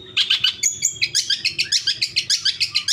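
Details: Long-tailed shrike song played as a lure to make caged shrikes answer and sing, for morning, noon and evening: dense bursts of chattering, scratchy notes with a brief whistled slur, repeated about three times per second.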